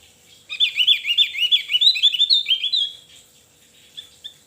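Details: Javan grey-throated white-eye singing vigorously: a rapid, high twittering phrase of tightly linked warbled notes lasting about two and a half seconds, then quiet with one faint note near the end.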